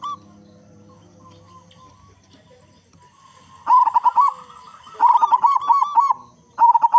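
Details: Local zebra dove singing steadily, its loud voice meant to prompt other zebra doves into song. After a quiet start, bursts of quick, bubbling, mid-pitched cooing notes arrive in close groups during the second half.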